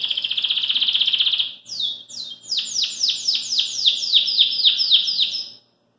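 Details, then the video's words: A Belgian canary singing outside its cage gives a fast, buzzy trill, then a run of about a dozen bright, descending slurred notes, roughly four per second. "CANARIO BELGA Fora da Gaiola Dando Show de Canto"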